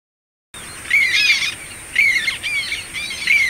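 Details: Black tern chick practising flying at a breeding raft, giving three harsh, rasping squawks roughly a second apart, each a short scratchy burst; a thin steady high hiss runs underneath.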